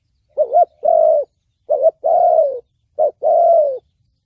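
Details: Spotted dove singing the 'thổ bầu' style meant for luring and trapping: three paired coos, each a quavering short note then a longer drawn-out note that slides downward.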